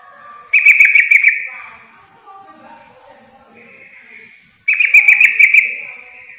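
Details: Calling trucuk receh, the yellow-vented bulbul, exchanging calls with another bulbul: two loud, fast, bubbling chattering bursts about four seconds apart, each under a second long, with faint softer notes between.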